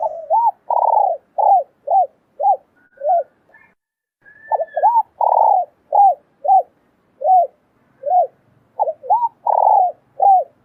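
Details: Male and female spotted doves in a recording aimed at luring wild doves: two clear runs of rising, hooked cooing notes, about ten each, separated by a short pause, in a quiet setting.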